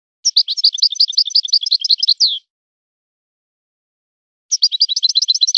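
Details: European goldfinch performing 'son of the forest' style song: a quick, jangling phrase of high chirps closing on a falling slur, then after a pause another fast twittering phrase begins.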